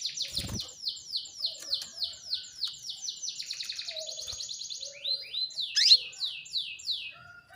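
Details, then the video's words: Calling female canary, used to prompt males to sing: a long steady run of high, down-slurred buzzy notes repeated several times a second, briefly speeding into a dense trill, then a sharp rising squeak and more slurred notes. "PANCINGAN KENARI BETINA MEMANGGIL JANTAN"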